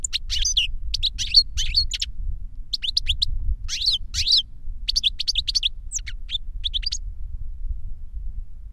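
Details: Master and novice European goldfinches in captivity, the young copying the master's reclamo song learned from a CD: several clusters of crisp, jangling chirps, stopping after about seven seconds, over constant low background noise.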